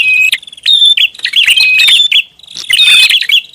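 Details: Short stretch of prinia lure call: dense high chirping and clicks, a thin whistled note sliding across the burst, then a second noisy cluster after a brief dip.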